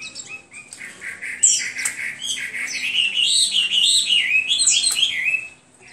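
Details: Hwamei singing a continuous, warbling stream of whistled notes that wander up and down, growing louder mid-phrase before fading out at the end.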